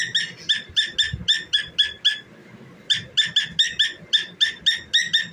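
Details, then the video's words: Cockatiel kept as a pet, singing while dancing indoors. It produces rapid runs of raspy, buzzy chirp notes at about four per second, then a brief gap and another steady run of the same notes. "Famous Cockatiel Singing and Dancing"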